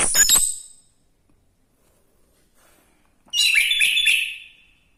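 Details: Orange-headed thrush giving a brief high burst at the start, a long pause, then a dense phrase of warbled whistles and chatter.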